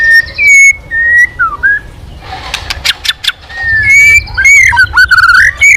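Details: White-rumped shama, a bird that had gone quiet and is singing again, giving clear whistled phrases that slide and rise, broken midway by a burst of dry clicks and rustling.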